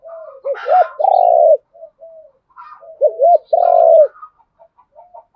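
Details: Spotted dove coos used to provoke a rival into fighting: two loud phrases of short rising notes ending in a long drawn coo, about two seconds apart, with quieter soft coos between.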